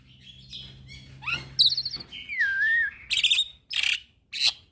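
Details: Lure recording of a young black-winged myna singing on and on for training birds: whistled phrases, a long wavering whistle, then loud harsh rasping bursts with short pauses between them.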